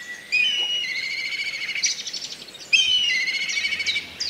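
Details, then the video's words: Black kite (Milvus migrans) uttering two long, high, quavering whinnying calls, each lasting about two seconds with a wavering tremolo, separated by a short pause; faint background noise. "Black Kite Call ! Black Kite Bird ! Black Kite Bird Sound ! Black Kite Noise ! Black KIte Scream"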